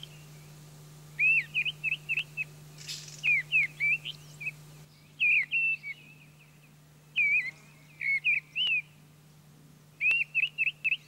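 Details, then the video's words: Wild mistle thrush singing in France: short loud fluting phrases of clear whistled notes, each phrase a quick run of three to five warbled notes, delivered in bursts separated by pauses of about a second; steady low hum underneath. "Grive draine - Mistle Trush - Misteldrossel ( Turdus viscivorus )"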